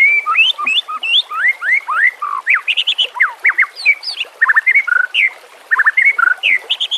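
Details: White-rumped shama (murai batu) song used as a training master: dense run of rich whistled and slurred notes, rising and falling sweeps, varied phrases in quick succession with brief gaps, over a faint background hiss.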